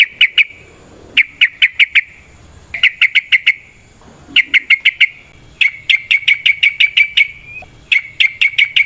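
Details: Sooty-headed bulbul (trucukan) song played to prompt other bulbuls to sing; crisp, rapid notes delivered in repeated bursts of four to ten, each burst separated by a short gap.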